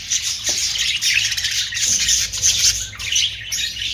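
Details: Budgerigar, an Australian parrot, chattering without pause: a loud, dense, high twittering warble mixed with short sharp squeaks and chirps, steady throughout with only brief dips.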